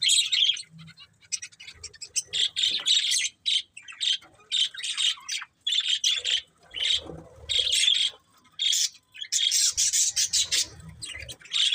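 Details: Budgerigars of a breeding pair squawking and chirping in uneven bursts, harsh scratchy notes with short silences between groups.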